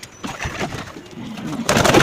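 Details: Many domestic pigeons calling together inside a pigeon loft: soft low cooing under a noisy room background, ending with a loud broadband rustling burst.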